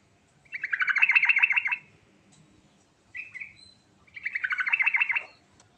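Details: Yellow-vented bulbul rolling song with rich fill, meant to make other bulbuls answer: two rapid buzzy trilled bursts, each over a second long, separated by a short clear rising note; faint low background hum.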